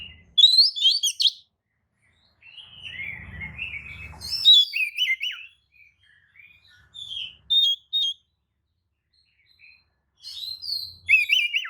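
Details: Magpie-robin lure song meant to stir others into answering: scattered phrases of bright whistles, buzzy slurs and quick notes spaced over several seconds, with a low rumble mid-way.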